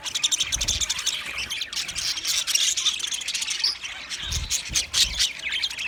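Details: High, buzzy twittering from green budgerigars runs almost without pause, made of scratchy chirps and short squawks, with occasional low thuds.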